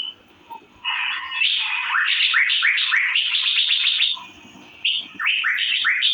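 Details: Fast chattering chirps from an Asian fairy-bluebird, locally cucak biru, beginning after a short silence, running as a rapid series of slurred notes, pausing briefly, then resuming.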